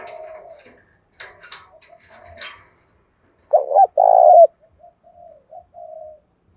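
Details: Spotted dove 'đồng pha' song to rouse other birds to fight; brief clattering and chirps at first, then one loud two-part coo followed by soft trailing coos.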